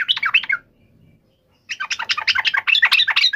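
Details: Emotional fighting call of a yellow-vented bulbul (cuk emosi ngalas tarung), intended to provoke a quick reply; a short bubbly burst, a pause, then a longer dense chattering run of rapid notes.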